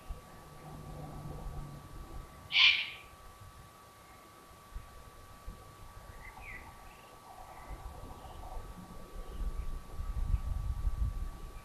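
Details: Evening at the Burgruine Königstein in Taunus, Germany, 15 July 2020, where a Eurasian eagle-owl family lives: a single harsh, breathy screech early on, then faint soft squeaks and a low rumble toward the end.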